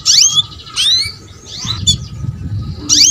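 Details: Female canary calling to prompt a male's song: loud downward-sweeping chirps in bursts, separated by quieter pauses with faint low noise.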